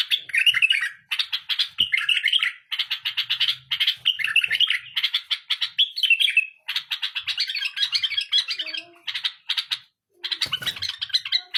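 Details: A tame bulbul in sustained song: long runs of fast chattering notes interwoven with looping warbled phrases, barely pausing throughout. A faint low hum and an occasional soft knock sit underneath.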